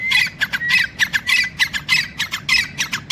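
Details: Teetar, the grey francolin, calling in quick rough bursts, strident grating notes tumbling out roughly twice a second with a thin whistle running through them, against a low steady rumble.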